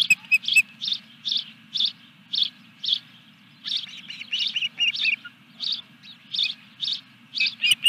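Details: At the Dunrovin Ranch nest on 14 July 2021, as the third fish arrives, an osprey gives a long run of evenly spaced high chirps, about two per second, with a rapid cluster midway. Constant low background hum.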